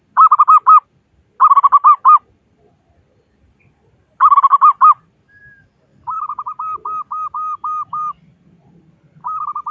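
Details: Zebra dove, a local bird with a strong voice, used to make other doves start singing: three quick clusters of rolling, stuttered coos followed by a slower line of clipped, evenly spaced cooing notes.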